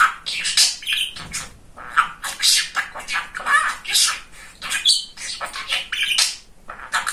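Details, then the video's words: Male pet budgerigar, described as funny and talkative, chattering: scratchy mimicked syllables mixed with clear whistled notes, steady flowing bursts with brief gaps. "Самый Разговорчивый Волнистый Попугайчик"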